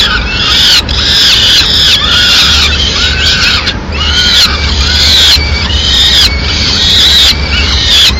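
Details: Peregrine falcon nestlings in Madrid clamour loudly while the female delivers a small bird, leaving part of the prey for them to feed themselves; harsh, rising-then-falling wailing calls roughly once a second, with short gaps.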